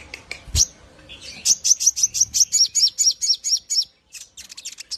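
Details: Javan grey-throated white-eye singing continuously, used as a model for training other birds: after a few scattered chirps and a click, a fast run of high, slurred, twisting chirps about four per second, then softer short notes.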